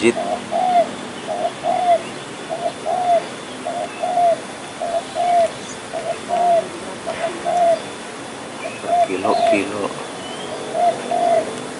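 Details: Spotted dove (tekukur), thought to be a plump male, calling constantly near a hunting spot; a steady series of short, soft mid-pitched coo notes repeated about once a second, with faint other bird chirps and rustling behind.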